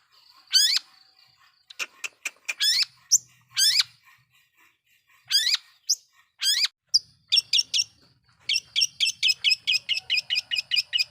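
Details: Lure song of a long-tailed shrike, used to stir up other shrikes. Scattered buzzy sweeps and sharp chips give way to a fast, evenly spaced series of high repeated notes. A faint low hum sits beneath.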